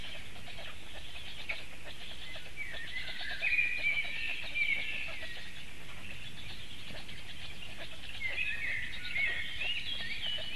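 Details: Black stork chicks at a nest in Latvia, filmed by a live webcam on 22 May 2018 around 16:33 while swallowing big fish: continuous high, squeaky, wavering calls overlapping one another, with a steady background hiss.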